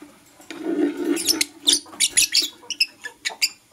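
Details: Lovebirds of Blue Opaline and Parblue Euwing Opaline colour varieties in the morning: a low murmuring hum first, then a run of sharp, high, scratchy chirps, short and clipped, coming in quick irregular bursts.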